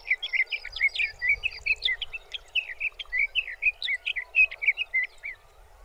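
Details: In June at Arapaho National Wildlife Refuge, Colorado, a sage thrasher pours out a long, rapid warbling song of short varied phrases, some slurred up and some down, strung together nonstop against a faint hiss.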